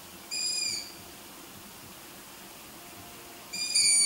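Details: Long-eared owl chicks filmed at night, growing from downy balls into almost adult birds, voices likened to kittens meowing; a high, thin, drawn-out squeaky call lasting about half a second, repeated about three seconds later over quiet background hiss.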